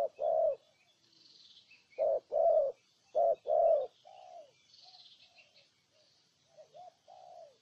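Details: Spotted dove from Ninh Thuận, Vietnam: a single coo, then two short-long coo pairs, followed by softer, quieter low coos and faint high chirps of other birds.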